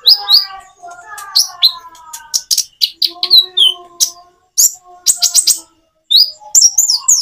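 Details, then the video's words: Common iora song with natural pauses to coax reluctant birds into singing: fast high chips and short whistled phrases, layered over lower steady whistles from other birds. "Kicau burung konin jeda natural untuk pancingan"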